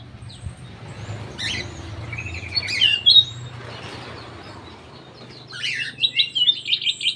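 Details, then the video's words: Black-capped bulbul in an aviary with a few bright whistled phrases and quick chirp trills, separated by quiet gaps over a steady low hum. "KICAU KUTILANG EMAS \ CUCAK EMAS GACOR"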